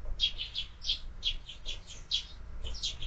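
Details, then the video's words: At a window-mounted feeder stocked year-round, morning sparrows give a rhythmic series of bright chirps, roughly three or four per second, evenly spaced and slightly varied in pitch. "Воробьи в кормушке - Утро"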